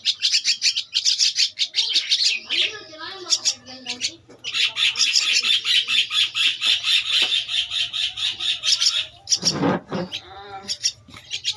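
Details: Two-week-old Javan myna chick giving dense, grating begging calls, rising into a long continuous rasping run, interrupted by a brief loud thump and some faint voices.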